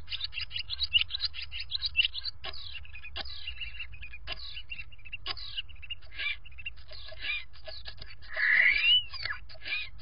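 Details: Common starlings in a nest box conversing before bedtime, producing a continuous run of scratchy chatter, clicks and short whistles, ending with a louder rising-falling whistle, over faint low hum.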